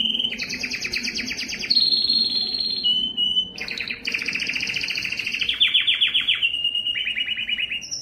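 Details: Song of a yellow canary: dense rolling trills shifting between a high bright phrase and lower buzzy tours, with brief pauses and rising note series, a faint low hum underneath.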